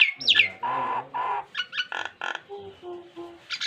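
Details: Nias hill myna singing a rich, varied repertoire used as a model for training pet mynas: sharp falling whistles, buzzy harmonic notes and short low tones in quick irregular succession, with quiet gaps between phrases.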